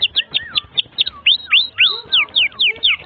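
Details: Canary in long, continuous song used to train young canaries: clear separate sweeping whistled notes, several per second, some rising and some falling, with faint lower slurred tones between them.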